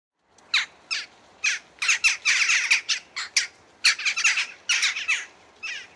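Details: Western jackdaws in Sweden, several harsh, short squawking 'tchak' calls, broadband and clipped, given in quick irregular bursts with overlapping notes, some birds calling together near the middle.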